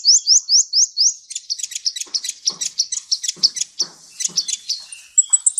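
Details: Sunbird song from a training recording for cage birds, meant for morning or afternoon use: opening run of five rising high chirps, then a rapid busy stream of varied sharp twitters and trills with lower clicks, ending in thin high notes.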